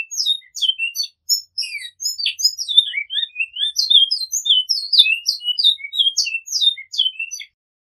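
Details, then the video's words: A Great-billed seed-finch (bicudo) sings a flute-type (flauta) song of the Di Stefano line: a fast, high series of clear whistled notes sliding up and down, repeating short phrases almost without pause, in a clean recording. "Bicudo Canto Flauta com repetição"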